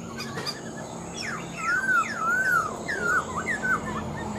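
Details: Caged Black-throated laughingthrush, an older bird taken from the wild and praised as a good singer, giving drawn-out, smoothly arched whistles mixed with quick downslurred notes, ending in short rising twists.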